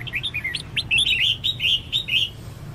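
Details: Female red-whiskered bulbul calling to get males singing, with a quick chain of bright, looping whistled notes, evenly spaced, over a low background hum.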